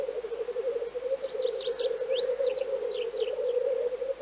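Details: Black grouse in Central Russia: a constant low, rolling bubbling hum fills the background while a small bird adds thin, high, repeated chirps.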